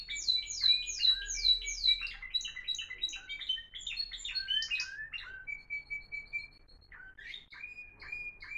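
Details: Three Timbrado Florealdo canaries sing rapid metallic trills and rolling tours, bright and high, shifting between fast chattering phrases and sustained piping notes, over a faint low room hum.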